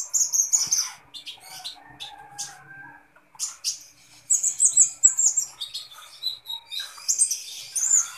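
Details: Kolibri ninja sunbird singing eagerly: scattered high, thin chirps and short squeaky twitters broken by brief pauses, then bursts of rapid sharp notes toward the end.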